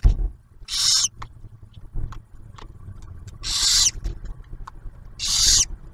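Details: Barn owl nest at Ottawa National Wildlife Refuge, Ohio, during the male's food delivery to the female and the newly hatched owlet. Three hoarse, breathy screeches over a low rumbling background.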